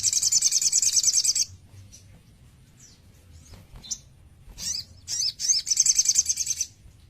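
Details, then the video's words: Young white-rumped shama with sogon song filling: a dense high buzzy trill, a pause with faint notes, a few sharp slurred calls, then the fast trill again. "si kecil handal !! sogon full isian gacor"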